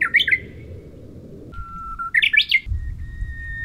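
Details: Bush warbler on Oeyeondo, Boryeong, South Chungcheong, Korea, 3 May 2023: a long, steady low whistle breaking into a quick, rising flourish, then a held higher whistle, over a soft low rumble.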